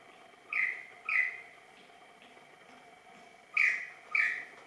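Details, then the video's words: Superb lyrebird (Menura novaehollandiae) at practice dance, giving paired rasping notes, two about half a second apart, a pause of two seconds, then another pair, over constant low hum. "Lyrebird - Menura novaehollandiae - practice dance"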